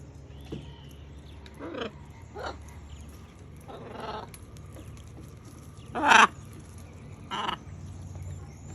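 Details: Macaws eating fruit give harsh, raspy squawks, about six scattered bursts, the loudest near the end, over a low steady hum.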